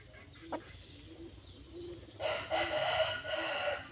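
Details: Loud, raspy red junglefowl crow lasting well over a second, following a few soft, faint notes and a brief knock, with low background rumble.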